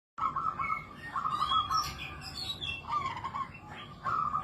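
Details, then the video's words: Zebra dove singing in samberlilin style: rhythmic, bubbling cooed phrases repeated every second or so, mixed with chirps and squeaks of other birds in the background. "Burung perkutut samberlilin - kicauan burung"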